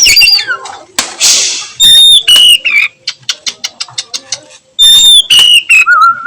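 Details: Afternoon 'nyiul' song of an oriental magpie-robin: sharp whistled notes and a harsh burst, then a run of quick ticking clicks, closing with clear level and dropping whistles.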